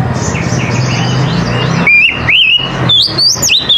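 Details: Oriental magpie-robin in the morning: low rumbling background and soft chirps at first, then loud whistled notes that climb steadily in pitch during the second half.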